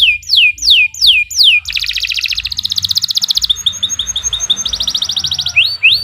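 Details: Canary singing a long, vigorous song meant as a tutor recording: three looping down-slurred whistles, then a dense buzzy rolling trill, fast repeated chips, another rapid trill and closing swept whistles.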